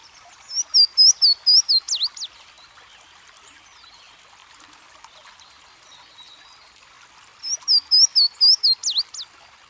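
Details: Two songs of a Louisiana waterthrush, roughly six seconds apart. Each opens with ringing, down-slurred high whistles in a steady series and closes with a quick tumbling flourish. Soft hiss fills the gap.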